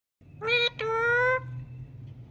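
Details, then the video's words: Indian ringneck parakeet, a talking parrot, giving two harsh, nasal, speech-like drawn-out notes: a short one, then a longer steady one after a brief gap, over faint low background hum. "Funny Talking Parrot"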